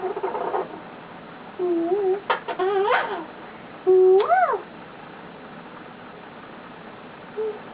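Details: Male eclectus parrot kept as a pet, lying on its owner and making cute noises: a few rising, whistled notes with sharp clicks between them, then quiet with one faint short note near the end.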